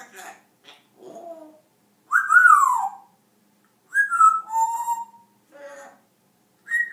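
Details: Talking African grey parrot: mumbled, speech-like syllables mixed with clear whistled notes that swoop downward, a few steady whistles, and a final short rising whistle.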